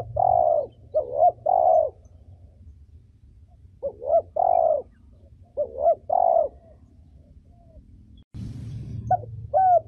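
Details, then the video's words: Female spotted dove cooing, a voice used to stimulate decoy birds and train young birds: soft, hollow coo phrases of two or three notes, the last held longest, given in bursts a couple of seconds apart, followed by a brief rustling noise. "Cu gáy mái giọng hay, gáy, gù, thúc kích bổi tốt, tập chim non hay!"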